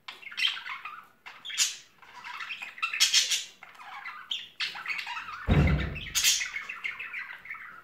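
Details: A courting pair of budgerigars in spring, chattering in short bursts of scratchy, buzzy warbles with brief pauses, and one loud thump-like noise near the end.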